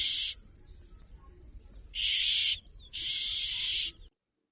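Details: Oriental magpie-robin giving a retiring call, announcing its return to its night roost: harsh, rasping churrs, a short burst, then two longer buzzy bursts about a second apart, high-pitched over faint background hiss.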